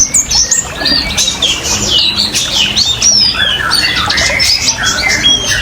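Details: Oriental white-eye song used as a lure and therapy sound for caged birds, with trickling water: a jumbled, scratchy mix of high twittering notes and some lower squeaky slurs, more irregular and busy, over steady hiss.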